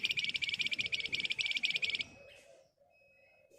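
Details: Tight ngebren trill from a Flamboyan bird, used as a lure to make other birds reply. Fast, scratchy high notes rattle for about two seconds, then a soft lower hum and a brief chirp follow.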